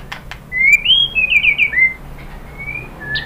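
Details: A white-rumped shama gives a short burst of rich, slurred whistles rising and dipping, then a faint level whistle. This lure song is meant to stimulate other birds to sing.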